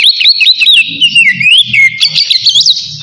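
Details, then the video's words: Rival-calling ngeplong song from an oriental magpie-robin. A rapid, unbroken chain of slurred whistles swoops up and down, with faint low rumbling beneath. "suara kacer ngeplong manggil lawan"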